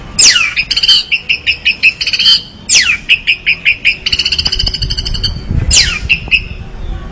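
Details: Orange-headed thrush singing vigorously: sharp downward sweeps, each followed by a rapid string of evenly spaced, ringing repeated notes, the pattern given three times.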